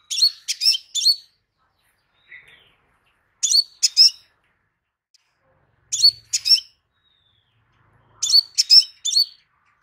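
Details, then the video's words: Crimson sunbird, known locally as kolibri sepah raja, giving bright high-pitched twittering phrases of about three sharp chirps, repeated roughly every two and a half seconds in a quiet setting. "Burung KOLIBRI SEPAH RAJA anda asektika langsung NYAUT"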